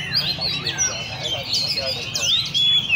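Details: Oriental magpie-robins kept caged at a bird cafe in Le Thi Rieng park. A short burst of crowded high whistles, with quick slides up and down and a long, clear level note near the end.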